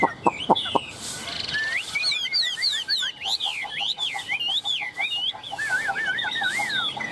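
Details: Very tame Chinese hwamei singing confidently while held in the hand and teased: a run of loud, varied whistled notes sliding up and down, with quick looping phrases, preceded by a few sharp knocking clicks.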